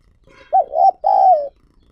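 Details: Spotted dove kept as a decoy, cooing to draw in wild doves: a faint soft lead-in, then a wavering two-part coo and a long, even, gently descending croo.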